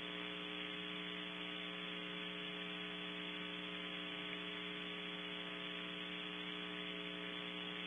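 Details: Electrical buzzing hum and static fill the whole recording, unchanged from start to end, with no animal voices.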